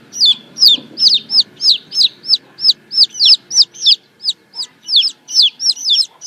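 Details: Loud, steady peeping of chicks in the morning: bright, high notes that bend downward, given about three times per second, with a soft rustle underneath.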